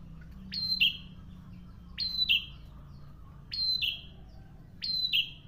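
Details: Prinia in full song: four clear phrases, each a high piercing note followed by a lower buzz. Delivered at steady intervals of about one and a half seconds.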